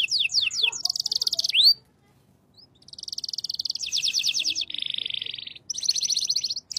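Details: A canary sings shant-style song in quick, rolling tours, each a fast run of repeated high notes held at one pitch before switching to a lower or higher trill, with one brief pause.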